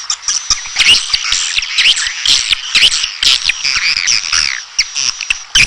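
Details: Red-nest edible-nest swiftlet chatter: a continuous tangle of high squeaky chirps and short swept twitters, broken by dry clicks, over a steady thin high-pitched tone.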